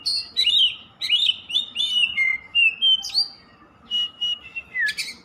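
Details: Oriental magpie-robin (kacer) singing continuously: fast chattering whistles and chips, a clear rising slur, then level whistled notes and a final falling sweep.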